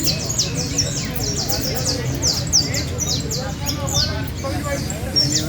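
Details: Competing canary in Valledupar, La Ceiba, pouring out rapid high downward-sweeping notes in running trills while people talk nearby.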